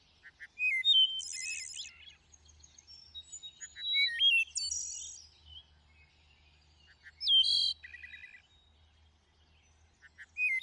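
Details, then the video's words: Thrush delivering separate song phrases every few seconds: sharp upward-hooked whistles, stepped fluty notes and very high buzzy rattles, with near-silent pauses between phrases. "A Symphony of Thrushes: Exploring the World's Songbirds"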